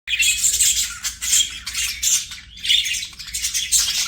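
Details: Pet budgerigar chirping in bursts of bright, scratchy, high warbles broken by short pauses, with a faint low hum underneath.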